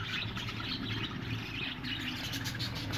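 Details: A colony of budgerigars kept in a hut, giving a continuous overlapping chorus of chirps and chattering warbles over a steady low hum.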